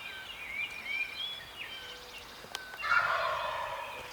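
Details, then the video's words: Male wild turkey gobbling right off the roost during a public land hunt in Maryland; a dense rattling gobble burst arrives in the last second and a half, preceded by thin whistled notes from other birds. "HUGE Gobbler Right off the ROOST!"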